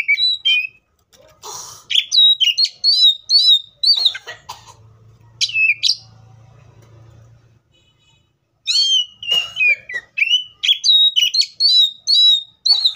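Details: Wild Oriental magpie-robin singing long, lively phrases of ringing whistles and quick rising and falling slurs, repeated more than twice a second, with a quiet pause and a low hum midway.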